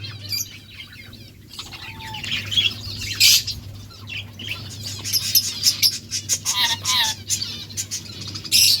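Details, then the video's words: Lovebirds chirping among other pet parrots, including a ringneck and budgies: bursts of shrill, high, scratchy chirps and squeaks come irregularly over a steady low electrical hum, loudest near three seconds and at the end. "Lovebirds chirping sounds"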